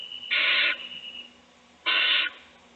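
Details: Two harsh, broadband hissing bursts from an owl nest box, about a second and a half apart, over a faint steady high tone, recorded while a chick is fed and its siblings sleep.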